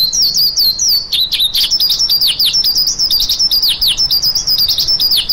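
A lark pours out an unbroken stream of high, rapid chirps and trills, quick notes tumbling over one another with hardly a pause; nothing else is heard.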